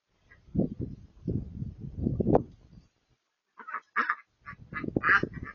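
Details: Wood ducks in a marsh give a run of low, rough quacks, then a pause and strings of higher, squeaky nasal calls in quick bursts.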